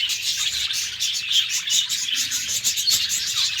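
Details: Pet budgerigars kept together in a cage, recorded in the morning: a dense, continuous high-pitched chattering and warbling from many birds at once, with overlapping chirps and no pauses.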